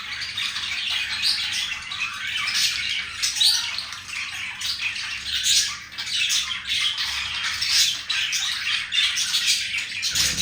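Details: Male green pet budgie flirting with a female budgie, keeping up a dense, gritty twittering warble of clicks and squeaks that barely pauses throughout.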